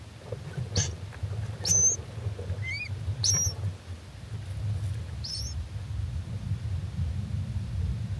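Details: Little owl chicks, just three days old, begging loudly for their mother in June 2024: a few scattered thin, high squeaky cheeps separated by pauses, over a low background rumble.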